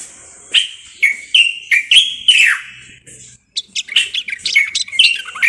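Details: Moroccan bulbul (common bulbul) giving a string of about six clear, downslurred whistles at half-second spacing, then a short break and a faster tumble of mixed chirps and warbles.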